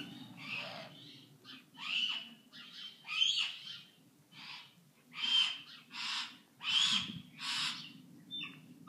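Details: Great grey owl at a bird-of-prey aviary in Provins, France, giving harsh, hissing screeches, roughly a dozen rasping bursts repeated about every two-thirds of a second, over a faint low hum.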